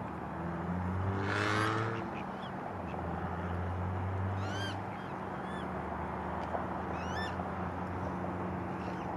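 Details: A baby coot chick in Malibu gives thin, high, wavering peeps in scattered short runs over a steady low engine-like hum.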